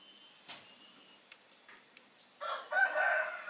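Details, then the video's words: Three-week-old long-tailed shrike chick being hand-fed crickets: after quiet clicks and faint rustling, a loud, harsh, raspy begging call of rough broadband squawks in the second half. "LOLOHAN BURUNG PENTET USIA 3 MINGGU"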